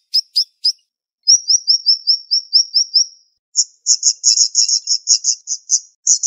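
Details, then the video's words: High, sharp siri-siri bird song used as training material. A few quick chirps lead into a fast series of rising slurred whistles, then a rapid, clustered, buzzy chatter of very high notes. "Masteran Burung Siri Siri Tembakan Tajam Speed Rapat"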